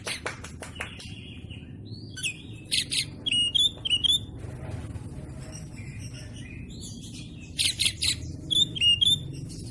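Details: Oriental magpie-robin training song for caged birds, delivered in dense rapid-fire phrases: a few sharp clicks, then clusters of bright, upslurred whistles mixed with scratchy buzzy notes, repeated in bursts about twice a second.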